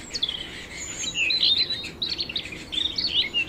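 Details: High twittering canary song, a dense run of sharp chirps and slurred whistled notes, nearly continuous with small pauses between bursts.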